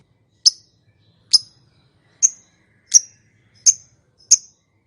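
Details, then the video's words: Lovebird calling so that silent lovebirds answer: six clean, sharp, high chirps spaced under a second apart in a steady sequence, otherwise quiet. "Suara Burung Lovebird, Memanggil, Yang Bisu Langsung Nyaut, Ngekek Panjang Gacor Respon Langsung"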